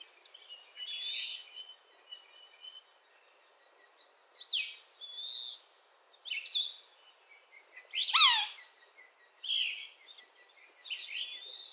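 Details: Red-naped sapsucker, a sap-drilling woodpecker, giving nasal, wailing cries that slur downward, spaced a second or two apart, with one louder harsh squeal near the end and a faint steady background hiss.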